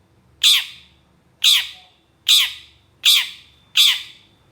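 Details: Long-tailed shrike (cendet), agitated and responding to another shrike, gives loud rasping squawks in a training recording: five harsh descending notes, each about a second apart, against a quiet background.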